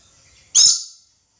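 A red lory gives one loud, harsh, rasping screech lasting about half a second, high-pitched and noisy, then silence.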